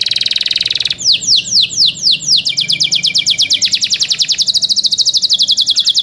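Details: Young canaries: a buzzy roll gives way to bold downward-sweeping notes that quicken into a long rapid trill of high chirps.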